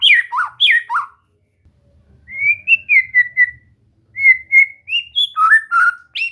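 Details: White-rumped shama (murai batu) in relaxed song training: a few quick downslurred whistles, a short pause, then a series of clear, mostly level whistled notes that shift between pitches.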